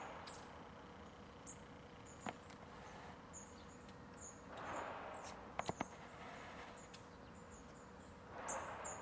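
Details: Long-tailed tits (Aegithalos caudatus) at home in Ljubljana on 4 January 2023: thin, very high, faint see-see notes scattered through, over steady hiss with a few brief knocks and rustles.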